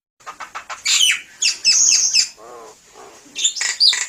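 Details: Javan myna in steady song, used to stir silent mynas: high, squeaky, scratchy chatter with lower buzzy notes in the middle, ending in shrill squeals.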